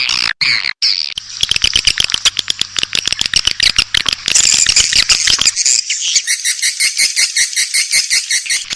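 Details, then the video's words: Swiftlet calls played to attract swiftlets: a few sharp clicks, then a fast run of dry ticking pulses blending into high buzzy chirps, with a faint steady electrical hum underneath. "Suara Burung Walet untuk Tarik"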